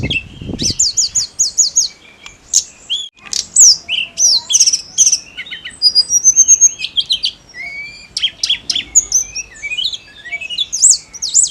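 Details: Snowy-browed flycatcher singing energetically, a recording meant to excite other songbirds like magpie robins; rapid high chirps and trills in dense bursts with brief pauses, opening with a short low thump.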